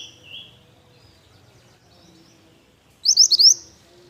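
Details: Pied bush chat singing actively: after near silence, one brief high, bright phrase of four quick rising chirps with soft low background hum.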